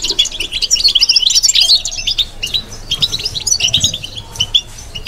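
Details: Bitbita babbling song from a kept European goldfinch, a dense run of bright, tinkling chirps and trills for about two seconds, then looser scattered twitters.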